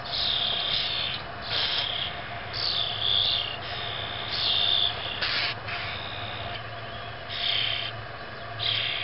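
Young grackles give harsh, raspy begging calls in bursts about every second, with a steady low hum underneath.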